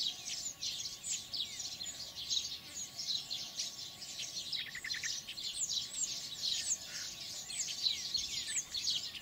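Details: Baya weavers at their nests in Kinta Nature Park, Perak, Malaysia, keep up dense, high-pitched chattering and sizzling from many birds at once, with brief buzzy trills rising through the chorus, late morning.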